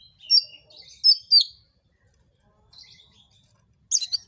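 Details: Oriental magpie-robin in full song, used to provoke other magpie-robins into singing; quick high chirps and sharp whistled notes in short bursts, a pause, then soft twitters and a final cluster of bright chirps.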